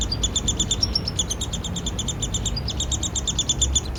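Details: Downy Woodpecker nestling begging while being fed by its father, in a yard in Lethbridge, Alberta, Canada, July 12: a fast, high, buzzy chatter of closely spaced notes running without pause, over a low background rumble.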